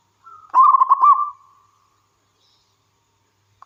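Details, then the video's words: Wild local zebra dove singing actively. A faint lead-in note gives way to one loud phrase of fast, pulsed cooing on an even pitch, which then fades out into silence. "Suara Burung Perkutut Lokal Gacor"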